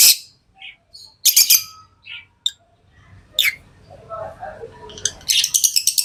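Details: Tame lovebirds chirping in short, shrill bursts and scattered squeaks, over a low, murmuring background, closing with a quick series of high, harsh chatter notes.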